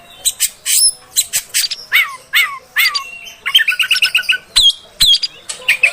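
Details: Female oriental magpie-robin sound to provoke males: rasping squawks, then repeated downslurred whistles about every half second, followed by quick trilled notes and high sharp whistles.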